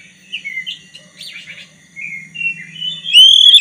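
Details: White-rumped shama of the black-breasted form delivering soft, varied whistled warbles that build into a loud, sustained rising whistle, meant to get a rival shama singing; a low hum runs beneath.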